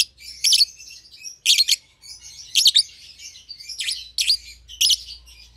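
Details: Two young caged lovebirds, a euwing green opaline and a red-eyed albino kept as a pair, give loud buzzy high chirps in bursts about once a second, with short quieter chatter between them.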